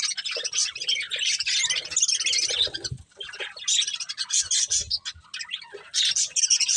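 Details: Several budgies eating corn produce dense, shrill warbling chatter and quick tweets, with a few soft flutters and low pecking knocks.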